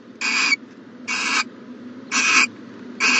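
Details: In a nest box on a January 2020 morning, an owl repeats short, raspy hisses about once per second, four bursts each roughly a third of a second long, with steady faint background noise.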